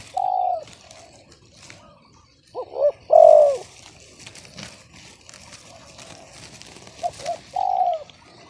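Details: Spotted dove, described as having an off-key, discordant voice instead of the hoped-for big voice, giving low hooting coos: a short coo, then a hiccuping double note and a long drawn note, repeated near the end over faint background rustle.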